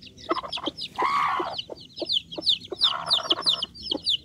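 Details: Bangkok chicken chicks cheeping with high, falling peeps, broken by two longer, lower, raspy calls.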